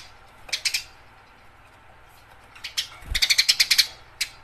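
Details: Scattered chirps from fighting house sparrows build into a fast, even run of about eight sharp chips, followed by a single closing note.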